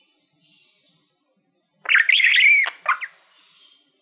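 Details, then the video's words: Pet budgie singing to a mirror-like silver plaque: faint high hissy notes frame a short loud burst of squeaky chattering whistles and clicks about one second long. "Budgie singing to Youtube Playbutton - Cookie sounds"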